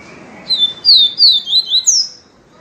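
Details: Yellow-bellied seedeater singing the pure viviti song style, offered for encarte: a quick run of about five loud, high, slurred whistles, each sweeping downward, with a brighter rising-then-falling final note, over a quiet background.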